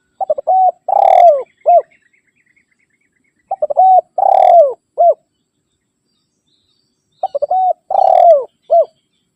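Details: Spotted dove challenge call used to lure wild doves: three evenly spaced phrases about every three and a half seconds, each with quick stuttering notes, a long descending rolling coo and a short final note.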